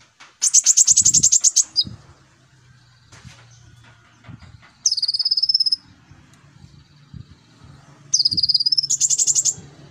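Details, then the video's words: Konin lure song for training young birds: bursts of very high rapid rattling trills opening and closing the passage, a shorter trill in the middle, over a low steady hum and faint background noise. "Pancingan konin rajin cerewet"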